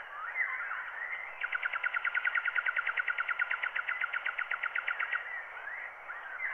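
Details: Wild bird song on a wax cylinder transfer at 90 rpm: a long, steady rattling trill of rapid repeated notes lasting nearly four seconds, framed by brief slurred whistles, all with narrow, muffled recording tone.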